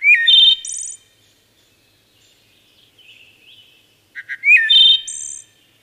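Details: Two wood thrush songs about four seconds apart. Each has an upward-gliding whistle, a held flute-like note and a high tremolo trill, with quiet murmured notes in the pause.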